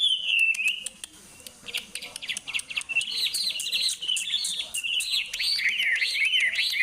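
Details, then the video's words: Loud Indonesian songbird singing rapid wavering whistled phrases that climb and dip, over constant sharp clicking and faint background chatter. "suaranya sangat menarik.(burung)."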